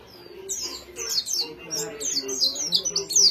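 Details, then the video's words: Kept white-eye giving high, thin twittering song: short sliding notes in loose clusters growing louder toward the close, faint low background sound. "Pleci s Burung kecil..kualitas mewah.."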